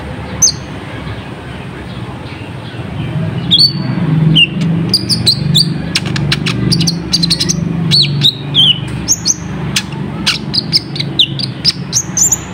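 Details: Olive-backed sunbird (kolibri ninja) lure song meant to make wild birds respond quickly: scattered thin, high chirps and brief downslurred whistles, thickening into rapid clicky bursts midway, over a steady low rumbling background.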